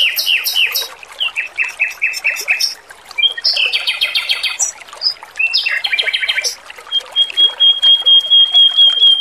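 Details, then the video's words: Male robin kept as a cage bird, training recording: stuttering runs of repeated high chirps, buzzy trilled phrases, then a long thin steady whistle, with a soft continuous background hiss. "MASTERAN BURUNG ROBIN JANTAN GACOR, SUARA MERDU DAN JERNIH"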